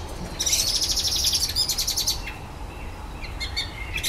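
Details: Common blackbird in a garden at evening, singing a repertoire of imitated electronic noises: a fast buzzy pulsing rattle lasting about two seconds, then scattered thin high notes.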